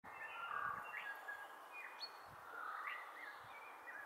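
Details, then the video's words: Fernbird (mātātā) calling at Matuku Link, dated 121019: a few short, sharp rising chirps spaced about a second apart, faint against a steady hiss of wind or distant water. "Fernbird/Mātātā calling"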